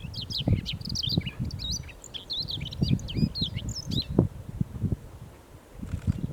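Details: Singing Siberian rubythroat, July 2020: a long, lively run of varied high whistles, chirps and rapid slurred notes that fades near the end, accompanied by low rumbling noise throughout.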